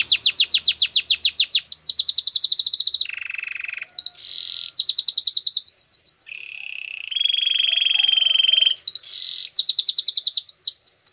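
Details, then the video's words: Training song of a Belgian canary: fast rhythmic trills of repeated notes alternating with lower sustained rolling tones and brief buzzy passages. "Your canary is silent ? turn it around so it will sing a long | Belgian canary"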